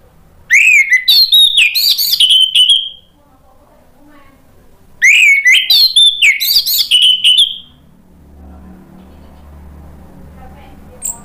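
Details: Orange-headed thrush singing to provoke other birds to sing: two loud bursts of rapid, varied whistled and chattering notes, each lasting about two and a half seconds, separated by a quiet pause with faint low background hum.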